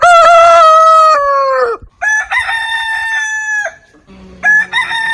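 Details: Rooster crowing in a backyard compilation of heritage breeds: a long harmonic crow with a sustained mid note falling away at the end, then a second rising crow and the start of a third.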